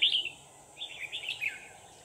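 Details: Red-whiskered bulbul decoy singing during late-afternoon trapping on 24 November 2018: two short bright warbled bursts of rapid notes separated by a brief gap, over faint hiss.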